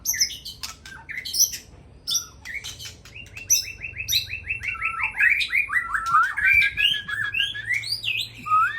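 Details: White-rumped shama of Aceh origin in evening song: sharp high chips and whistles, then a long rapid series of repeated notes climbing in pitch into rich, varied fluty phrases, with a low background hum.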